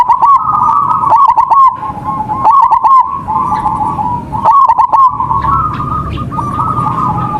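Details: Local zebra dove in active singing form, used as a lure to provoke other doves into singing: rolling, stuttered coos held at one steady pitch, broken by bursts of sharp clicks, with a low background hum.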